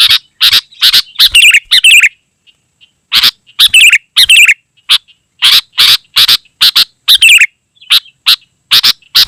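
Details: Sooty-headed bulbul singing densely ('gacor'), a recording meant to call wild birds and serve as a tutor for caged birds: rapid chattering bursts with warbling whistled phrases, one short pause near two seconds, then steady bursts resume.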